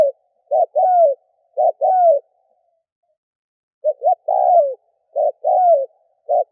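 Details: Spotted dove call played as a decoy to attract doves: paired cooing phrases, a brief note then a drawn-out falling coo, with a pause of about two seconds midway.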